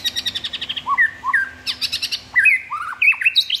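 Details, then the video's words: White-rumped shama in captivity singing a busy varied phrase: quick high chips and clicks mixed with short whistled slurs dropping and rising, delivered densely and loudly. "MURAI SEHARGA 1 M !! MERINDING BANGET"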